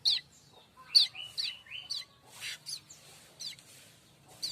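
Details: Tutor recording of a streaked weaver for magpie-robins and shamas: a lively run of sharp chips mixed with short rising whistled slurs and a brief rasp.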